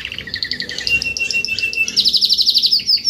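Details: Adult Spanish Timbrado canary, a Belgian-type domestic canary, singing a rapid high song: quick repeated notes and trills around mid-high pitch, ending in a fast bright rolling trill; no other clear sounds.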